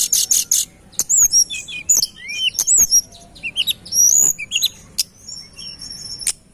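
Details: Sunda robin singing strongly on a lure recording, opening with a rapid buzzy burst, then crowded high whistles, twisting slurred notes and sharp chips.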